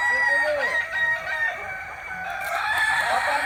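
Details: Kokok Balenggek rooster from Solok, West Sumatra, delivering a sustained crow of drawn-out tonal notes that slide slightly, with another bird's softer calls underneath.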